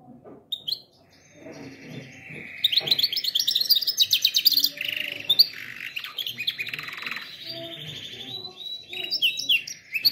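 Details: Canary singing for training other canaries: a rapid, bright, high song of buzzy trills and rolling chattered phrases, with sharp whistled notes and faint low background noise.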